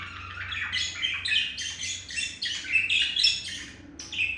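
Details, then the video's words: A male budgie tries to win over a female, chirping while tapping his beak: a continuous run of chattering, buzzy warbles and short squeaks with barely a pause. "Olive the male budgie trying to seduce Mirage the female budgie with chirping and beak tapping"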